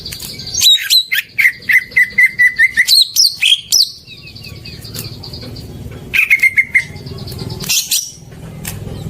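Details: Greater green leafbird song, a lure meant to prompt silent birds to sing: rapid repeated whistled notes, several looping phrases, a quieter pause, then another quick whistled run and a scratchy burst.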